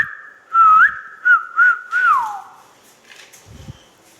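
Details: Pet rose-ringed parakeet, a talking ringneck, gives a short whistled phrase: a long steady note, two quick wavering notes, then a warbling note that slides downward. A few faint clicks follow in a quiet room.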